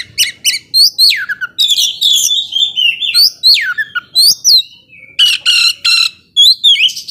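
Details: Oriental magpie-robin singing to provoke emotion in slower birds: loud downward-sweeping whistles and hooked slurs, dense scratchy notes, then rattling bursts and a final rising whistle, in phrases with short pauses.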